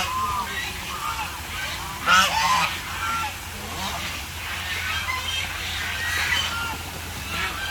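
A flock of ducks calls over one another with nasal, honking quacks that overlap continuously, loudest in a burst near the middle, over a steady low hum.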